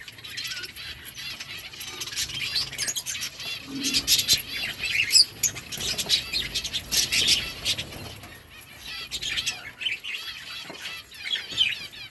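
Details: Lovebirds in a breeding colony, many birds chirping at once: dense high, squeaky chirps and twitters overlapping throughout, with louder bursts around the middle and soft wing flutters.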